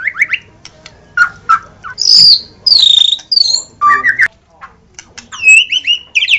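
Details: White-rumped shama (murai batu) song of spaced phrases: brief soft whistles, then loud high sweeping notes and a fast trilled passage, ending with quick rising whistled triplets.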